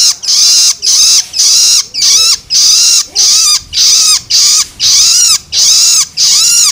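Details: Young long-tailed shrike begging, a call used to stir adult birds: harsh, hissing rasps with a downward-curving tone, repeated steadily roughly twice a second without pause.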